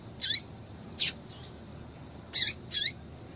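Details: Female double-collared seedeater calling to stimulate a male: four short, high chip notes, each sharply dropping at the end. The notes come in two loose pairs over about three seconds against a quiet background.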